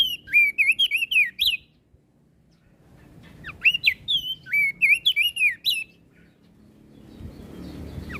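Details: Crested white-eye from Flores, a lively caged songbird singing to provoke other birds; loud bursts of rapid, twisting whistled notes in two phrases separated by a quiet gap, with a low background rumble.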